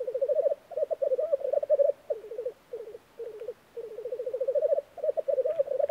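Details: Black grouse at a spring lek in Norway gives a low, rolling, dove-like bubbling in rapid pulsed phrases with brief pauses between them; nothing else stands out.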